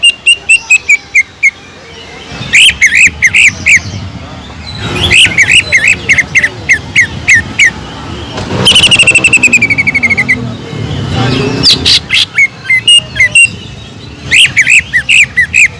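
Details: Caged greater green leafbird singing as a lure, its song filled with kingfisher imitation: bright, chattering runs of rising and falling whistled notes in fast bursts, broken by pauses, over faint low background noise.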